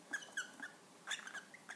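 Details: Cockatiels mating in front of their young give brief, rapid chirps with a squeaky, slightly whining tone.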